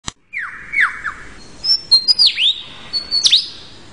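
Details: Male lyrebird singing to outdo his rivals, weaving in other sounds he hears in the forest: a sharp click, then buzzy descending sweeps, clear high whistled notes and quick downward-swooping phrases in rapid succession.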